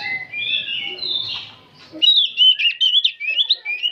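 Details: Oriental magpie-robin, an old bird singing without pause: slurred whistles over faint background murmur, then a burst of loud, sharp, rapidly varied chattering phrases in the second half.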